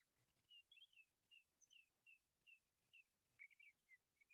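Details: Sage thrasher song recorded on Marble Hot Springs Road, including its own version of a Sora whinny: a steady series of short, high, chirped notes about every half second, some doubled, over a quiet background.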